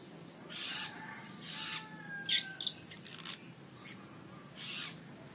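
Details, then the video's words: Young long-tailed shrike outside its cage, singing actively: harsh, noisy rasping bursts about once a second, with a thin falling whistle and a few short sharp notes between them, over a faint low hum. "Anakan Cendet Konslet Gacor Di Luar Sangkar"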